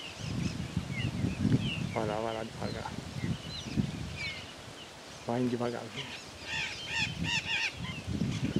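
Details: A pair of blue-winged macaws in the sertão of Bahia, Brazil: harsh, grating squawks with stacked overtones come in short bursts, a few lower rasping notes first, then a quick run of higher screeches near the end, over rumbling background noise.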